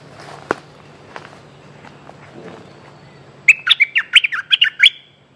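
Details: Streak-eared bulbul calling a mate: after faint clicks and thuds, a quick burst of about nine sharp chattering, warbled notes rises near the end, bright and tightly spaced.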